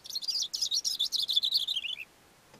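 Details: Perched on a rock on a mountain slope, a Cape grassbird sings one complete two-second phrase: a fast series of about fifteen high, scratchy pulsed notes stepping gradually down in pitch, ending abruptly.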